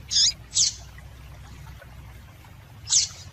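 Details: Female yellow-bellied seedeater call used to excite males into singing: short high chirps, two close together then one more after a two-second pause, over a low steady hum.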